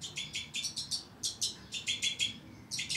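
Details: A breeding pair of two-barred crossbills with young, kept in captivity, utters quick chattering chips, several notes per burst in close succession.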